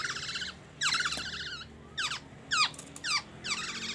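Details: Black-naped oriole singing imitations of oriental magpie-robin: loud bursts of steeply falling whistled notes with rich overtones, separated by short pauses; a man speaks just afterward.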